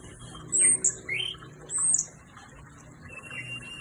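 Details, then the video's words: Orange-headed thrush (anis merah) from Indonesia: two short bursts of song, each a thin high whistle near the top of the range joined by a lower slurred note, then quiet with faint background hum. "Anis merah on fire"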